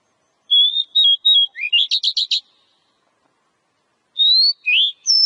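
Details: Oriental magpie-robin singing, used to prompt a kept bird into song: a few level whistles, then a quick buzzy trill of stacked notes, a pause, and three more clear whistles, one dipping and one high.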